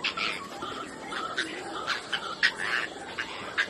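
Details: At Chavdarakhal, Kutch, Gujarat, India, an Oriental darter (Anhinga melanogaster) gives harsh, clicking, rattly notes in short irregular bursts, roughly two to three a second, over a soft background hiss.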